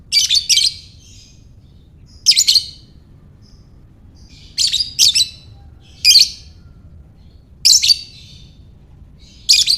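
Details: Lovebird, in the ngekek style, used to stimulate other lovebirds: six bursts of harsh, high, squeaky chatter, some doubled, roughly every one to two seconds, over a low steady hum.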